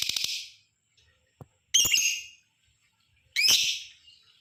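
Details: Lovebird long chattering ngekek call, used to stir other lovebirds into calling: a pulsed opening burst, then two loud, grating, downslurred screeches roughly two seconds apart.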